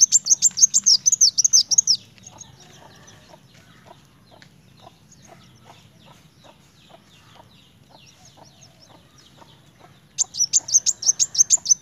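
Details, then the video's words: High, rapid chirping bursts of a kolibri wulung sunbird singing narung, one run at the start and another near the end, with long stretches of faint ticking between them. "Kolibri wulung gacor narung!"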